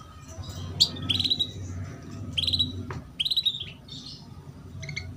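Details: Female canary chirping, used as a lure to prompt young canaries to start singing quickly; short bright cheeping bursts of quick repeated notes, grouped in three clusters with pauses between, over a low background hum.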